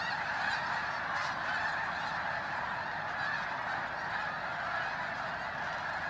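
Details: Thousands of snow geese flying in at Bosque del Apache, New Mexico, before dawn and before the resting flock's flyout, in freezing cold, phone-recorded; a steady, roaring mass of yelping honks from countless birds.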